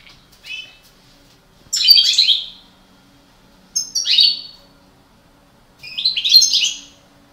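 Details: A breeding pair of parva goldfinches: three rich, twittering bursts roughly two seconds apart, each starting high and sliding into a liquid chatter, with a soft note before the first.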